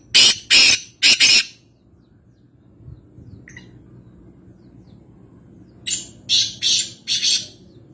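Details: A black francolin in interior Sindh near Nawabshah, Pakistan, gives two bursts of about four harsh, grating, high notes in quick succession about five seconds apart, with quiet low hum between.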